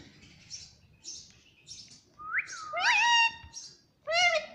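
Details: Green ringneck parrot talking at home; a rising whistled note followed by loud harmonic voice-like syllables, with quiet high chirps repeating about every half second.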